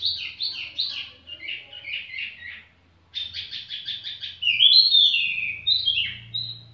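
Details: Tiểu mi bird singing at an easy pace: two runs of rapid, evenly repeated chirps split by a short gap, followed by sweet whistled slurs rising and falling, over a low steady hum.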